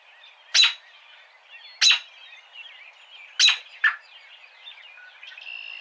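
An American robin gives sharp, high clipped notes, singly and then a quick pair, over about five seconds, with faint chatter from other birds underneath.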